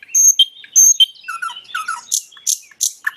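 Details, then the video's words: Nightingale singing in a natural recording: a varied phrase of high pure whistled notes, lower fluty slurred notes and short buzzy bursts, delivered in quick succession with brief gaps. "Nightingale bird singing"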